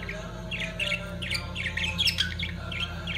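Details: Lovebirds in the mating period chirp rapidly, repeating quick high tweets several times a second, with a few shriller squeaks mixed in. A constant low electrical hum sounds in the background.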